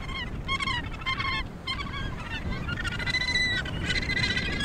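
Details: Calls from the Australasian gannet breeding colony at Point Danger, near Portland, Victoria, Australia: grating, honking calls come in bursts with short gaps, several birds overlapping, against constant low wind and sea noise.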